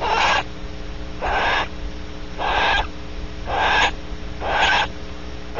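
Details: Female Barn Owl at Audubon Starr Ranch, California, wheezing after mating: five harsh, breathy hissing bursts, each under half a second, repeated about every second and a quarter over steady low background hum.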